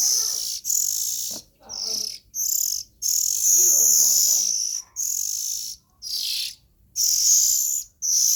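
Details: Young Oriental magpie-robins calling: harsh, hissing bursts about a second long, repeated with short gaps, with faint lower chirps underneath.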